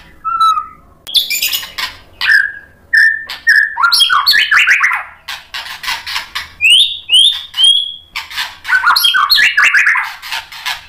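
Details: White-rumped shama song for provoking another bird: a lone whistle, then a varied run of high slurred whistles, downward-sweeping notes and harsh chatter, phrases separated by brief pauses.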